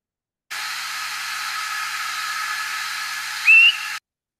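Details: A migrating Swainson's thrush gives its nocturnal flight call near the end, a single short rising peep about a fifth of a second long, likened to a spring peeper, over steady hiss.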